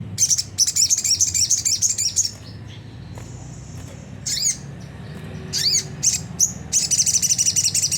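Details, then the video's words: Sunda whistling thrush giving a clear, rough 'ngriwik' twittering used as a lure to set caged birds singing: fast bursts of high, scratchy chips in runs, a pause with a few sharp notes, then another dense burst, over a low hum. "pancingan jernih suara sogon ngriwik kasar nembak gacor"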